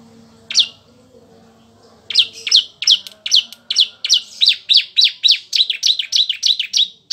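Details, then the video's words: Bar-winged prinia singing, recorded for training magpie-robins to learn more varied song: one lone high chirp, a short gap, then a long, steady string of bright, clipped notes delivered about three per second. "Kicau Ciblek untuk Masteran Murai Batu biar Tambah Variasi"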